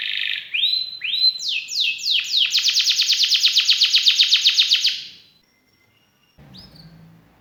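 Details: Canary song: rising whistles, falling swept notes, then a fast regular trill that builds louder for about three seconds before stopping; a short pause, one last note and faint background noise.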